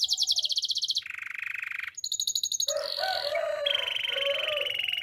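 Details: Belgian canary in morning song, moving through rapid high trills, a lower rattling roll, pulsed notes and then softer warbled phrases beneath a sustained high tour.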